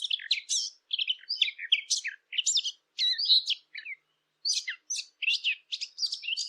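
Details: Eurasian blackcap song for use with hunting callers: restless scratchy warbling in short bursts with brief whistled slurs, separated by small gaps, in a quiet background.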